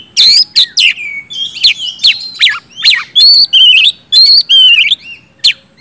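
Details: Kacer, the oriental magpie-robin, singing nonstop in 'gacor ngeplong' fashion as a lure for silent birds: sharp downslurred whistles, buzzy rasps and sustained warbled notes in a fast, irregular stream.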